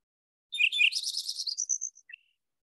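A Lincoln's Sparrow sings a quick, bubbly jumble of high chirping trills. It shifts pitch several times over about a second and a half, then ends with two brief notes.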